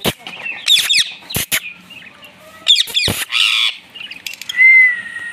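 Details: Pet Indian ringneck parakeet greeting a new baby Indian ringneck parakeet in 2024; sharp squawks and quick chirps in short bursts, a few clicks, ending with a clear drawn-out whistle.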